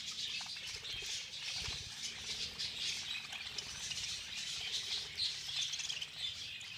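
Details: During a feeding frenzy, numerous budgerigars chatter nonstop, giving a busy mix of sharp chirps and scratchy warbles, with a faint low hum underneath.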